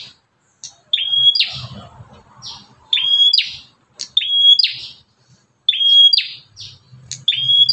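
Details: Fierce bar-winged prinia whose voice can lure other prinias, calling insistently: a long series of whistle-and-buzz phrases at roughly 1.3-second intervals, mixed with short high chips and faint low thumps.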